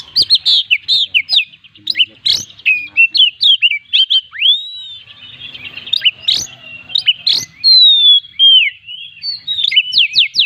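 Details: Oriental magpie-robin (kacer) singing gacor with full isian, a song packed with mimicked phrases: rapid whistled notes, sweeping slurs and sharp upward strokes in varied bursts, with short pauses between phrases and a faint low hum.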